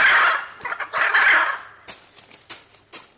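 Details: A pair of Hyacinth macaws at Caiman Ecological Refuge, Southern Pantanal, Brazil, on 18 July 2019, squawking relentlessly: two loud, harsh, grating squawks about a second apart, then a few soft clicks and knocks.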